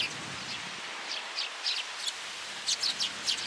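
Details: Sparrows coming to be fed on cherry tree branches at a shrine on a rainy day, 26 March 2023, in Japan; short sharp chirps repeat irregularly, some in quick pairs, over a steady hiss of rain.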